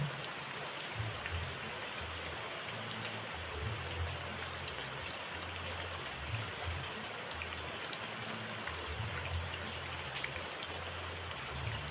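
Steady rain falling on a surface with soft patter throughout and no animal voices.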